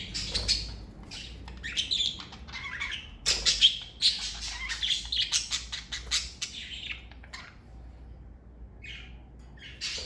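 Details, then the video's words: Pet parakeets from a family group kept together, giving bright, scratchy chirps and short warbled notes in uneven bursts, busy in the first half and then thinning out to a few isolated calls near the end. "Birds Chirping Sound Effect!"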